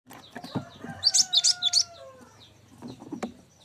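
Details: Cinereous tit as a tutor song for songbirds: a fast run of about five high chirped notes over a faint, slowly falling whistle, followed by quiet clicks.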